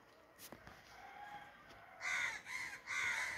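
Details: Crow giving three harsh, drawn-out caws in the second half after a quiet stretch of faint background noise.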